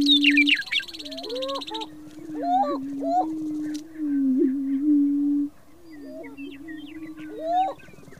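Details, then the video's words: Greater prairie-chickens at a mating dance give a low, steady, droning moan under sharp rising whoops and cackles, while other birds chirp faintly high above. "UNIQUE BIRD CALL & Mating Dance of Greater Prairie Chicken"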